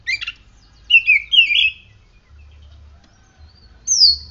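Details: Oriental magpie-robin, a kept bird treated with morning sunning and morning dew, gives a short chattering burst, then two rippling whistled warbles, a pause, and a high down-slurred whistle.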